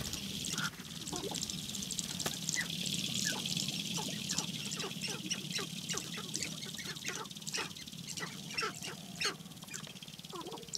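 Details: Spring lek of Sharp-tailed Grouse in the Namekagon Barrens, Wisconsin, with males battling and displaying for females. Rapid, irregular clucks and clicks pour out at about 95 per minute, with a few hooting notes, over a constant hiss.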